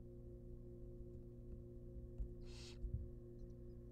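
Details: A single short, breathy hissing screech from wild barn owl nestlings at a nest box during a rabbit feeding. A low steady hum and faint thumps are also heard.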